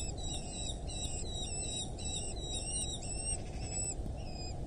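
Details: Wild Eurasian hobby at its nest in rural Dorset, England, on 8 July 2024 at 07:55; rapid series of sharp, ringing repeated notes, then a few spaced calls, over a heavy low rumble of wind noise.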